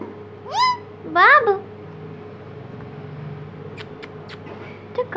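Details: A pet talking parrot called Mitthu, playing at a mirror, utters two quick, rising, nasal talking sounds, almost meow-like, then a few sharp clicks over a steady hum, with a voice starting at the end.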